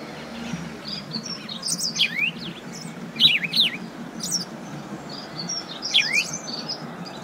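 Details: House sparrow giving short bursts of sharp, high chirps, each burst mixing quick rising and falling slurred notes, repeated about every one to two seconds over a low steady hum.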